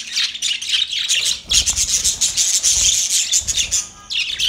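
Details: Budgerigars mating: a steady stream of high, twittering warble with a thin whistled tone running through it, then a short pause and one more burst.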